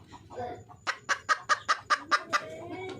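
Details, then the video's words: Red junglefowl hen seeking a male: soft low sounds open, then a brisk series of about eight sharp clucks, roughly two per second. "le bruit d'une poule sauvage,เสียงไก่ป่าร้องหาถู่หาตัวผู้,ສຽງໄກ່ປ່າຮ້ອງຫາຄູ່ຮັກ, poj qaib qus see"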